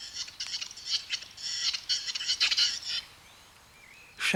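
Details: Western capercaillie males displaying at a lek before dawn in spring snow in mountain conifer forest: dry metallic clicks and scraping bursts quickening over three seconds, a pause, then a harsh rasp; faint thin whistle.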